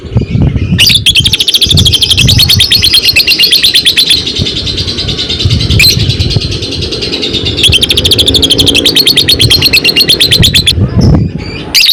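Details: Fighter-type lovebird in a long ngekek chattering bout, used as a lure to stimulate singing: rapid high repeated notes running for several seconds, broken by two short pauses, with low rumbling background noise.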